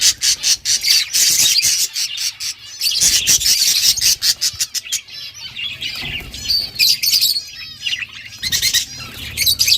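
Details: Budgerigar chicks being fed by their parents in a breeding setup: rapid raspy, hissing bursts in quick clusters separated by short gaps, over a faint low hum.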